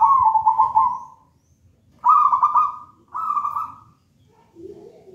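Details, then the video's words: Manggung song of a persistent zebra dove of local wild origin, taken from a raja banana plant nest and used to teach other doves: three burry, pulsing coos spaced about a second apart, then a softer lower note. "Perkutut manggung gacor"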